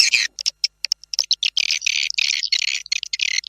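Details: Noise-free swiftlet lure sound for farmers: scattered short chirps opening into dense, raspy chattering with quick high twittering notes.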